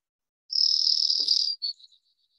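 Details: Brewer's Sparrow song in Colorado sagebrush habitat: a high, buzzy, insect-like trill of about a second, then a few quick, fading notes, a musical, roughly three-parted song.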